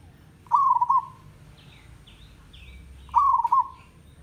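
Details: Zebra dove in a village setting gives two rolling, bubbling coos about two and a half seconds apart. Between them, another bird makes a series of thin, higher slurred whistles.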